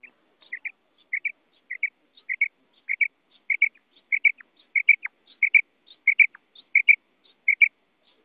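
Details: Female common quail (batair) calling: clean paired high chirps, each a quick double note, repeated roughly every half second in a steady run, with no other sounds.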